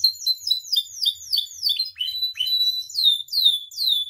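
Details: Captive canary singing vigorously, used as a tutor and lure recording to provoke other caged canaries: a rapid series of high, sharply down-slurred whistled notes, repeated about twice a second, shifting to longer sweeping slurs near the end.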